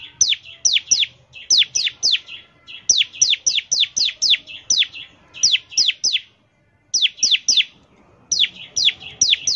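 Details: Long bout of bar-winged prinia song in the 'ngebren' style for luring prinias: quick runs of high, falling whistled notes with buzzy tails, separated by short pauses.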